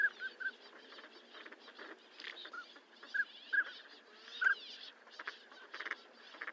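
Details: Northern pintail calling: short, clipped whistled notes at a middle pitch, given singly and in small clusters through the clip over a busy, rustling background with fainter scattered sounds.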